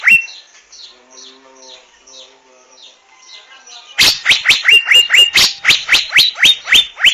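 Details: Asian fairy-bluebird (Irena puella): faint murmuring calls give way after four seconds to a loud series of sharp, upward-flicking whistled notes, repeated about twice per second until the end.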